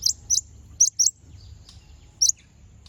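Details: Konin song used as a lure to stir rival konin into singing. Five bright, high, clipped chirps: two quick ones, a close pair, then one more after a pause of over a second. Quiet low hum lies underneath.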